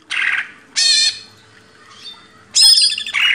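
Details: Greater green leafbird on a master recording for cage-bird training: separate harsh, rasping, squawk-like bursts about half a second long, split by quiet gaps, the last ones louder and scratchier.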